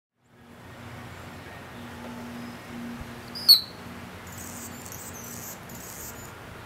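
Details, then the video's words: A hummingbird's dive gives one sudden, loud, very high chirp halfway through, over quiet background hiss, with faint high buzzing and a low hum. "A Diving Hummingbird and His Loud Chirp"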